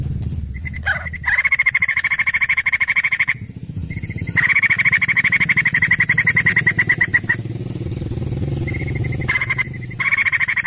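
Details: White-crested laughingthrush singing vigorously: long runs of rapid, harsh pulsed notes at a steady mid pitch, broken by brief pauses, with a low background rumble throughout.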